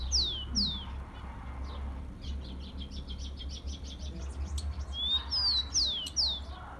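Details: Rufous-collared sparrow (tico-tico) song, played to warm up and stimulate captive birds: clear whistled notes that slur steeply downward, two at the start, then softer high notes, then a rising whistle followed by more falling slurs, over a low steady hum.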